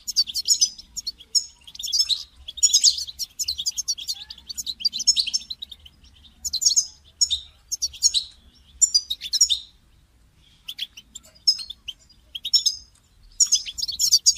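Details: European goldfinch call played to motivate a caged goldfinch to sing: bright, tinkling chirps and twittering phrases high in pitch, delivered in short bursts about every second with brief pauses between.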